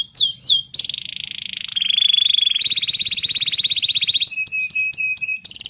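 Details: Canary training song meant to prompt young birds and silent canaries to sing: two falling whistles, a harsh buzzy section, a fast even trill, then clipped repeated notes.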